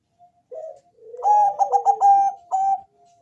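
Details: Bangkok-type zebra dove singing in a thick, bass, melodious voice, used to lure other doves into calling: a short soft coo, then a rapid run of about five pulsed, throaty notes over a sliding lower tone, closing with a single coo.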